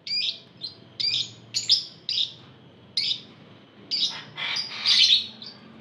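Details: Many lovebirds together, a lure to set other lovebirds singing; a series of short, shrill, harsh chirps about every half second, ending in a longer, louder screechy burst.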